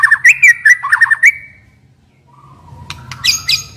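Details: White-rumped shama used as a decoy bird gives a short burst of rolling, slurred whistles, then falls quiet over a low hum, with a few sharp high chirps at the end.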